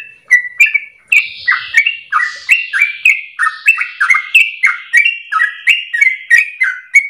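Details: A sooty-headed bulbul sings a long, rapid, continuous run of bright, bubbly chirped notes, about three per second, sliding between mid and high pitches, used as a training song to prompt other birds.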